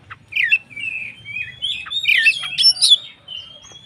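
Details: Short White-rumped shama phrase used to stir other shamas to sing: drawn-out slurred whistles followed by a quick flurry of sharp notes and a long thin whistle at the close.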